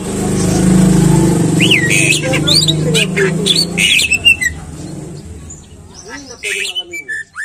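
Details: Greater green leafbird singing, a bait recording meant to make leafbirds sing readily: looping, sliding whistles and sharp chirps over a low steady rumble that fades, then scattered high notes.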